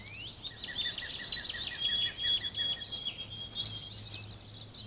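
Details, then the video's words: Backyard woodland birds in Virginia, recorded by a trail camera on 24 April 2020. A rising whistle opens into long, thin, sustained high notes, with a quick series of repeated chips running beneath and a constant low hum. "Backyard Forest Birds Singing"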